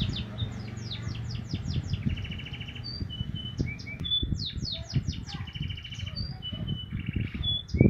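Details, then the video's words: Young Javan munia learning its call: bursts of fast, high downward chirps alternating with buzzy trilled phrases and brief pure whistles, repeated twice, over a loud low hum. "anak emprit kaji belajar ngeriwik"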